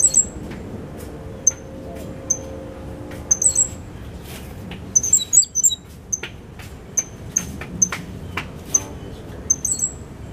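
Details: Five-month-old Cuban grassquit from a 2022 brood with a loud, clear silva australiano song and a particular trill learned from a tutor. Short, very high-pitched pips and tight clusters of notes recur irregularly throughout, with low background rumble.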